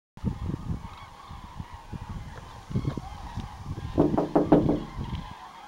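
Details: A huge passing flock of common cranes heading west at Voerde, Germany, on 1 November 2011 gives rolling, trumpeting flight calls that overlap into a chorus, loudest near the end, over a low rumble of wind.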